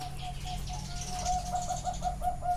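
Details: Zebra dove song heard live at a bird farm in Chana, Thailand: a quick run of clipped, bouncing coos repeated several times a second, with some rustling and a low hum in the background.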